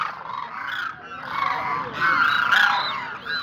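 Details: Koonj, or demoiselle cranes, calling together: many honking, trumpeting notes overlap into a steady clamour. Louder surges come in the second half.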